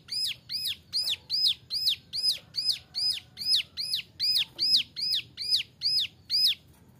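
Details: Young male ciblek gunung (brown prinia), kept as a training model for other songbirds, delivering a 'nembak' variation song of high downward-arching notes repeated evenly about every 0.4 seconds, with a soft low hum underneath.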